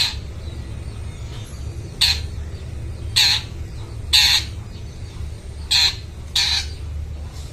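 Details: Long-tailed shrike used to lure and train mute shrikes, giving short harsh, sharp squawks spaced about a second apart, six in all, against a constant low hum.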